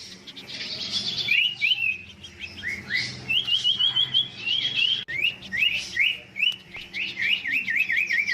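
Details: Huyt Co bird in competitive singing, giving fast repeated whistled zigzag notes in runs, ending with a rapid trilled series.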